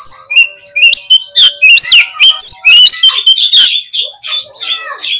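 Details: Rich, continuous Oriental magpie-robin song played as a lure so kept birds respond fast and spread their tails. Dense, loud whistles sweep up and down with sharp chips and scratchy notes, packed tightly for the whole stretch without pause.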